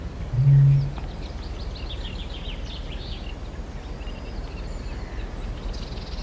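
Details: One deep, short boom from a Eurasian bittern opens the recording, made at medium-close range. Busy chattering and twittering of small birds follows, with blue tit, wren, wood pigeon and reed warbler named in the background.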